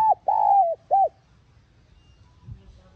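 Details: Spotted dove calling, used to stir a decoy bird into cooing: a short phrase of three low hooted coo notes, the middle one drawn out and slightly falling, then quiet with faint background rumble.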